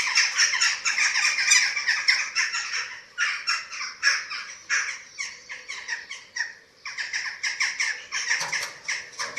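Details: Eurasian eagle-owls at the nest on a webcam in Germany, 27 March 2024, as chicks are fed. Bursts of rapid, grating squawks separated by brief lulls, growing softer toward the end.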